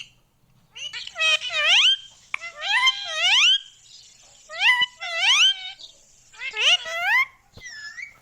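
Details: Pet Indian ringneck parrot talking, taught to say mummy papa: clusters of nasal, tonal speech-like syllables with sharply rising pitch, delivered in four bursts separated by brief pauses in a small quiet room.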